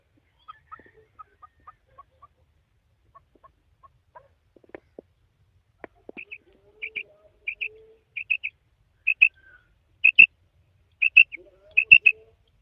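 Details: Female quail (madi batair): a run of soft, lower single chirps gives way to loud, sharp triple-note bursts about once a second, with faint clicks and a low buzzy note in between.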